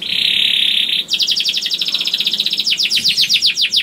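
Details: Young canary (kenari paud) song used to encourage other canaries to sing: a one-second harsh buzzy note, then a quick trill of descending chirps repeated about four per second.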